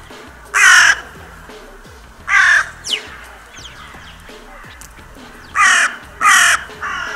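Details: Crows at the Steinrevier feeding site in winter, 6 January: harsh, raspy caws given singly and in pairs, with quieter squeaky notes and faint background hum between calls.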